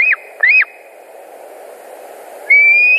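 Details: White-tailed eagle at a nest in Latvia, August 2019 afternoon: two short rising-then-falling whistled notes in quick succession, a pause, then a long, level, upward-drifting whistle.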